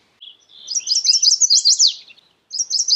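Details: Chestnut-sided warbler singing: a soft lead-in, then a run of high, sharply slurred notes ending in an emphatic downward slur. A second phrase starts near the end. The background is quiet.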